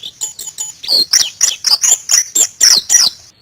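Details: White-eye (pleci), Indonesia, singing a steady run of high chirping notes, about three or four per second, each a bright slurred twitter, preceded by softer quick ticks.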